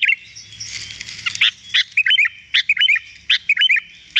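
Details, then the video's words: Sooty-headed bulbul song used for training a captive bird to sing: a noisy rushing opening, then short, clear, looping whistled notes and sharp chirps in spaced pairs and triplets. "Masteran agar burung kutilang cepat gacor"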